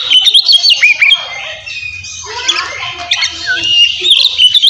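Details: Oriental magpie-robin (kacer) in loud, open 'ngeplong' fighting song meant to stir aggression and mating mood in untrained young males; a dense, fast stream of varied high whistles, slurred notes and chattering phrases, with a low hum underneath.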